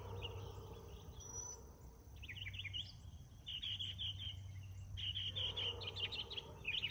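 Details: Morning song of a northern mockingbird, bright clustered chirps and trilled notes in bursts separated by short pauses, with a steady insect-like hiss and low hum throughout.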